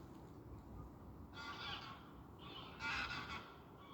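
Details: Geese flying by over water with autumn leaves give harsh, nasal honking calls in two bursts, the second louder, over a steady low rumble of background noise.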